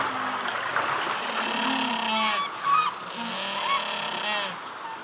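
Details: Paired Humboldt penguins, including a couple preening each other, give harsh, honking, harmonic brays in overlapping bursts.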